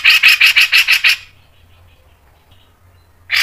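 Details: Cucak jenggot, or Grey-cheeked bulbul, training song: a short run of about seven rasping, evenly spaced notes, then silence before another note begins.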